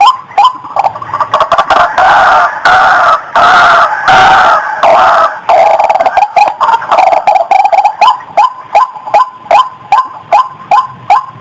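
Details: Female white-breasted waterhen used as a lure: a dense, grating chorus of harsh notes in the first half, then easing into separate upslurred croaks repeated about every half second.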